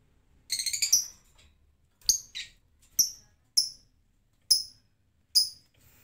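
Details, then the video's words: Lovebird in ngetik mode, reluctant to ngekek unprompted: an opening scratchy flurry of high notes, then single piercing tick-like chirps spaced roughly every second. "Lovebird ngetik malas ngekek tanpa pancingan"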